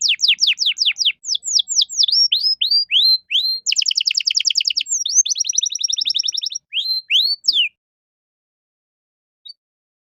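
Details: Canary song in 'cengkok mewah' style, used to train young songbirds: rapid downward-slurred notes, a fast tight trill, then curved whistles, ending abruptly in silence after about seven seconds.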